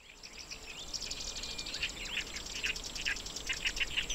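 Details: Black-browed reed warbler singing in grassland at Watarase retentive basin, Japan, during breeding season while incubating eggs; rapid high chattering notes repeated in a dense run, over a steady background hiss with faint other bird calls.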